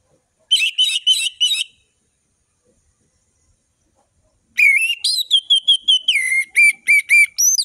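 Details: Ngeplong-style song of an orange-headed thrush. Four fast buzzy repeated notes come first, and after a long pause a varied run of high whistles follows, ending in a rapid, evenly repeated chirping series.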